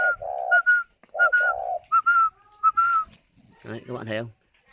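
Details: Spotted dove nesting in captivity near Hanoi, Vietnam, cooing while on its eggs: low hoarse coos and higher whistled notes in two phrases, then a man's voice speaking.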